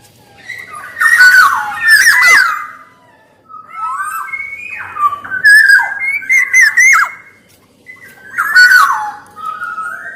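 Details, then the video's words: Black-naped oriole, male and female voices, prolific singer, repeating loud liquid whistled phrases mixed with rasping bursts, several phrases over ten seconds with short silent gaps. "SUARA KEPODANG EMAS GACOR"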